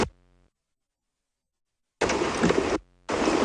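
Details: A brief low thump, then a long silence, followed by bursts of broadband rushing noise with no animal voice.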